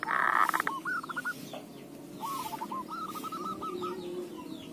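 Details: Zebra dove song played as a lure to make other doves sing: a loud rough burst at the start, then two runs of quick rolling, cooing notes, the second run longer and steadier, over a low background hum.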